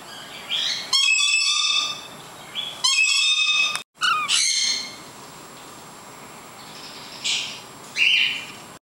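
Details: Lorikeets in the background, heard near a pet cockatiel perched on a finger, give harsh, strident screeches in bursts of about a second, three loud ones close together, then fainter calls further off.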